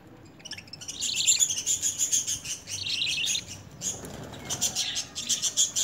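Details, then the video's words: Lovebird being hand fed spinach and coriander during initial hand-feeding training, begging almost continuously with rasping, rapidly throbbing calls. Brief pause midway, then the pulsed begging rises again. "Love Birds Hand Feeding"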